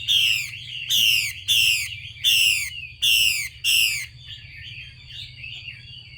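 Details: Female Chinese hwamei giving its harsh 'xùy' call to stimulate males to sing: six loud, broadband rasping bursts about every half second, then a soft, faint warbling song in the background.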